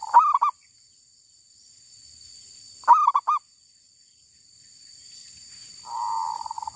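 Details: A wild female zebra dove, heard while trappers lure birds, gives two stuttered coo phrases about three seconds apart, then a long soft purring trill, over an electronic hum.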